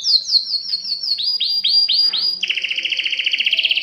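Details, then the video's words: Canary in mating excitement singing a series of high whistled notes, each sweeping down, repeated about every quarter second, then a fast rich rolling trill to the end. "اقوى تغريد كناري للتزاوج"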